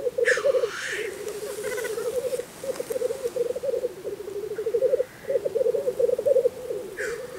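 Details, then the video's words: At a spring lek in Russia, black grouse keep up an unbroken low rolling bubbling chorus, cut by short harsh hissing sneezes near the start, at about five seconds and at the end. "Black grouse lekking in Russia (Тетеревиный ток)"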